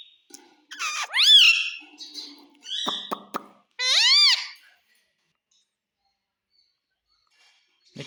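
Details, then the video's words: Pet parrot talking indoors, copying "mummy" and "papa": a rising, squeaky wavering call, some clipped chatter and clicks, then a second rising squeak, followed by several seconds of silence. "Parrot Talking Mummy Mummy _ Papa Bolta hai"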